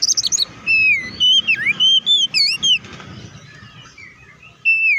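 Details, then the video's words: Oriental magpie-robin song meant to make other magpie-robins sing: a short high buzzy start, then clear looping whistles and chips for two seconds, a quiet gap, and one final drawn-out whistle. "KACER GACOR NGEPLONG TARUNG KONSLET BUKA PARU❗PALING AMPUH BUAT PANCINGAN KACER AGAR CEPAT EMOSI!"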